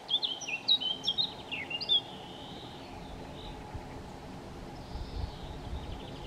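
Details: Eurasian blackcap in Chełm, Poland, 17 May 2022, singing between feeding: one short, fast warbling phrase of clear whistled notes in the first two seconds, then quiet background with a faint distant call.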